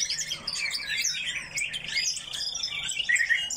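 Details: Coal tits in an aviary produce a busy chorus of sharp, high-pitched tweets and twitters, many birds calling at once, with a few brief clicking notes near the middle.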